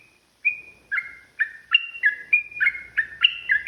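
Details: Agitated yellow-vented bulbul delivering provoking fight song: a thin held whistle opens, then quick gurgling notes alternating high and low pitches, repeated several times per second, clean background.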